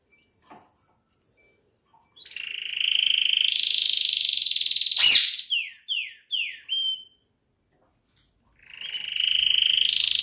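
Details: Canary song in a home recording: a long, loud buzzing trill, a sharp click, four clear downslurred whistles in a row, a brief pause, then the rapid trill resumes.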